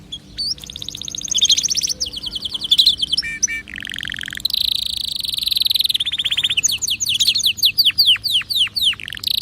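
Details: Song of a canary used to stimulate other birds into singing: continuous tumbling trills, a low buzzy roll, a steady high tour, and finally a series of fast downward-sweeping whistled notes.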